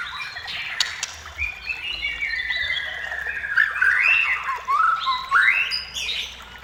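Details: White-rumped shama song for luring shamas to sing: sliding whistled phrases building into louder, swooping rising notes and brief warbles, with clicks early on.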